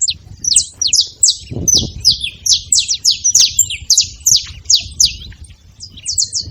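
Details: Saffron finches chirping in a crowd, giving high, slurred notes in a nearly continuous chatter for over six seconds. Chirps overlap and cross each other, and there is a brief low thump around the middle.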